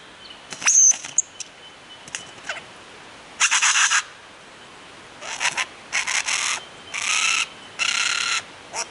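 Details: A lyrebird on a mound near Warburton, Victoria, mimicking several other birds: loud, harsh, buzzy bursts of about half a second in irregular runs, with a brief high whistle near the start.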